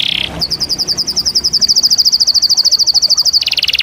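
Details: Canary singing a short buzzy note, then a long, very even trill of fast repeated high chirps, close to three per second, ending in a dense roll.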